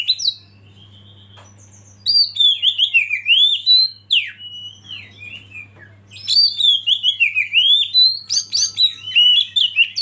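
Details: Caged Oriental magpie-robin used as a lead bird to provoke others into singing; loud, varied whistled phrases with rapid rising and falling notes, sung in bursts with short pauses, over a faint low hum.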